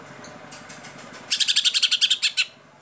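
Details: Greater Green Leafbird (Cucak ijo) kept as a singing bird, in full 'tembakan' delivery: about twelve rapid, evenly spaced piercing chirps in a two-second burst over a steady low mechanical hum.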